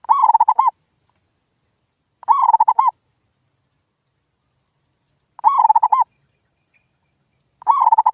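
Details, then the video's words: Loud zebra dove lure call for luring local doves that have stopped singing: four evenly spaced phrases of quick, rolling coo notes, each closing on a sustained note, in otherwise silent surroundings. "SUARA PIKAT PERKUTUT GACOR"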